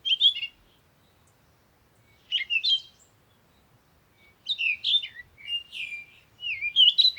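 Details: Songbird delivering short chattering, warbling phrases, a quick one at the start, another after two seconds, then a longer run of twittering notes and upslurs to the end.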